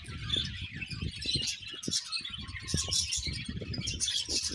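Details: Budgies at pairing time produce fast, high warbling chirps over steady low tapping and fluttering noises from movement.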